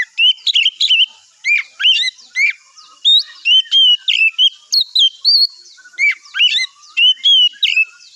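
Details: Oriental magpie-robin in the morning, sung as a lure to provoke other birds into replying: continuous varied melody of clear whistles, twangy slurs and short chirps in quick bursts roughly every half second, loud and rich throughout.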